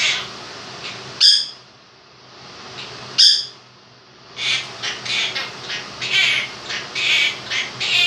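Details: Captive two-year-old Quaker parrot singing a version of 'If You're Happy and You Know It' at home. Two sharp clicks separated by near-quiet, then a quick string of rasping, chattering syllables; fan hum throughout.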